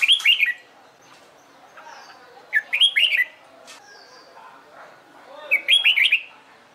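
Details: Red-whiskered bulbul in competition singing training, dancing while singing: three loud, quick warbled phrases of looping whistled notes about two and a half seconds apart, with quieter chirps and faint whistles from other birds in the gaps.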